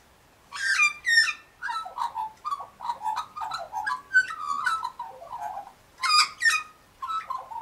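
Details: Pink galahs nearby as an Australian magpie delivers paired bright, falling squeals, followed by rapid rolling warbled notes, roughly three a second, and another pair of shrill squeals near the end.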